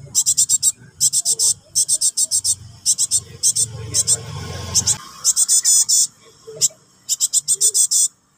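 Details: Young Java sparrow begging for its parent: fast trains of scratchy, high-pitched chirps in repeated volleys, with a spell of low rumbling background noise midway.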